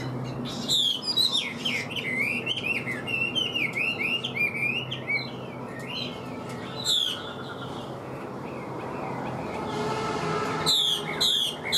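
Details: Kept male Chinese hwamei singing well, a cage bird of the northwestern mountain forests: rich looping whistled phrases sliding up and down, with sharp bright notes breaking in and a low hum underneath.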